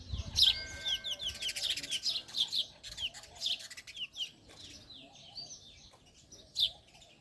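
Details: Male house sparrow, an Indian sparrow, chirping: a dense run of short, bright, bouncing chirps that overlap almost continuously for four seconds, then thin out to scattered notes with one loud chirp late, over a soft low hum.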